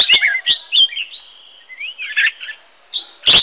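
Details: Competitive song of red-whiskered bulbuls, offered as decoy sound for training and stimulating singing: rapid bright chirps and liquid whistled slurs, a falling warble, then a loud burst at the end.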